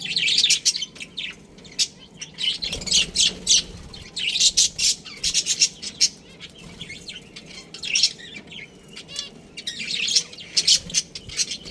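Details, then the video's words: Budgerigar colony with a breeding pair: busy, overlapping chirps and warbles from many birds in loud bursts, with near-constant high-pitched chatter. "Adorable Budgies Chirping Sounds"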